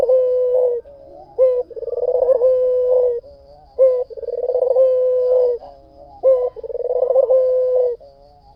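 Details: White dove cooing in steady cycles about every two seconds: each starts with a brief rising note and a pulsing trill, then ends in a sustained level coo. Four phrases in close succession.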